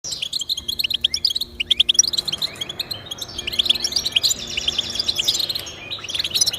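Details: European goldfinch song played to encourage pet goldfinches to sing: rapid tinkling, twittering phrases of high chirps and trills, with dense overlapping notes and a faint low hum underneath.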